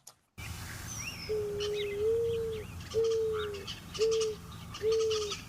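Mourning Dove: a soft, hollow, owl-like coo drawn out and rising, then three shorter level coos about a second apart, with chattering starling notes overhead.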